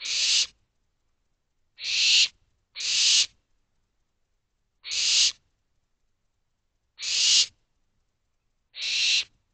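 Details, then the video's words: Several barn owl chicks in an owl box begging for food at night, late May 2023: broadband rasping hisses, about half a second each, spaced irregularly, one to two seconds apart, with quiet gaps and no other sounds. "Owlets Calling For More Food"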